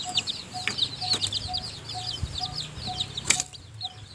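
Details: A hen feeds her weak, newly hatched chicks in the nest. Rapid high peeping runs almost throughout, punctuated by regular soft tones and a loud scraping burst near the end, after which the peeping fades.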